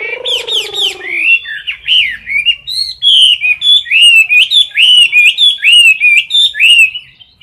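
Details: Close-range competition singing by a caged Chinese hwamei: a low droning tone under the opening notes, then a continuous run of loud whistled, swooping notes repeated in rapid succession, each phrase bending up and down.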